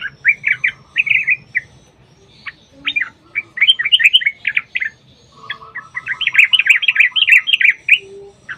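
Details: Long song of a sooty-headed bulbul, used to lure other bulbuls to sing: chattering clusters of bright chirps in quick bursts with brief pauses, and a faint lower twittering in the background.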